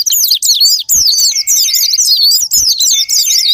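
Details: Japanese white-eye song played as a lure to get other white-eyes singing: dense, rapid, high twittering warble in long unbroken bursts, with brief pauses near one and two and a half seconds and a steady thin tone underneath.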